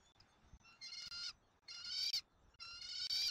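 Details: Bald eagle eaglet at its Southwest Florida nest, caught by a nest camera on 13 January 2024 during a dinner feeding: three strident, harmonic squeals, each lasting about half a second and separated by brief pauses.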